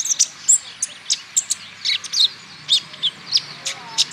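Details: Male olive-backed sunbird from Natuna, sung as a lure to get other birds singing: spaced, bright, high chirps and short slurred notes repeated at an uneven pace.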